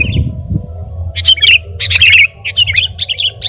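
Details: Sooty-headed bulbul, lively song for bird tutoring and luring: a brief note, a short silence, then clusters of rich slurred chirps in quick groups, with a low hum throughout.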